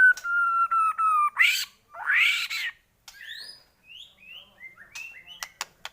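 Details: White-rumped shama song used as a lure to rouse other shamas into singing: steady level whistles, two loud rising sweeps, then a string of short upslurred chirps and sharp clicks.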